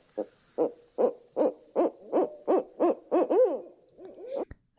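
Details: Barred owl hooting in a monkey-like pattern: about ten rhythmic, wavering hoots roughly every half second, rising in strength and ending in a drawn-out slurred note, then a sharp click.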